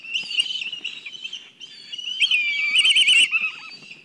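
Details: Black kites calling at a nest in Kurzeme, Latvia, amid excitement. A continuous high wavering call builds into a loud, rapid, trilling whinny, then ends with a short falling note.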